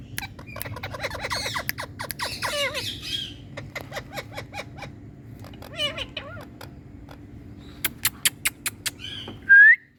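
Indian ringneck parakeets give harsh squawks and rapid chattering notes, then a run of sharp clicks and a final loud whistled screech, over a low steady hum.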